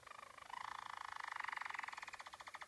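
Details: Harzer Roller canary, German roller breed, delivering its quiet rolling song: a low rapid rattle swelling into a smooth continuous roll, then breaking into evenly pulsed trills, very quick and regular.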